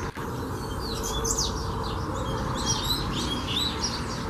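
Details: Coleiro (Double-collared Seedeater) singing during a song session that turns into a fibra training. Quick high twittered notes and short down-slurred whistles come in loose bursts over a steady low hum.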